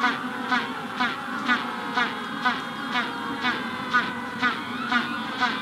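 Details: Magellanic penguin in a colony at the hatching stage giving short harsh pulses, about two each second, in a steady even rhythm over the murmur of the colony, with a rufous-collared sparrow in the background.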